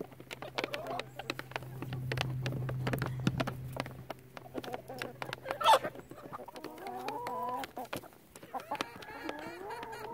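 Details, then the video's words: Chickens in a relaxed flock, first quiet clucking over a low hum, then a louder sharp squawk, followed by several drawn-out, wavering moaning calls overlapping near the end. "SOOTHING CHICKEN SIGHTS AND SOUNDS"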